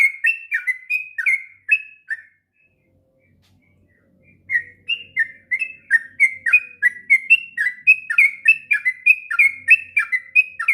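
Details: Sooty-headed bulbul song for tutoring young birds: a run of rich whistled notes, a two-second silence, then a long lively stream of bubbling, slurred notes.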